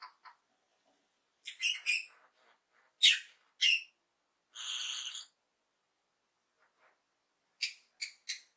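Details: Lovebird in happy mood, giving loud ringing chirps and harsh squeaky notes in clusters, one sustained buzzy tone in the middle, then a quick closing trio of chirps.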